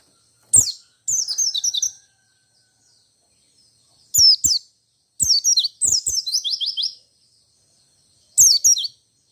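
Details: Rolling 'ngalas ngerol' white-eye song said to provoke other white-eyes into answering: short sharp high notes followed by fast cascading, slurred trills in separate bursts with silent pauses between, about fourteen bursts a minute.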